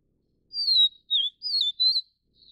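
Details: Vivid niltava (Niltava vivida vivida), Taiwan, calling while raising chicks: a phrase of four pure whistled notes, a long falling one, a short dipping one, then two warbled notes, with a faint note trailing at the end.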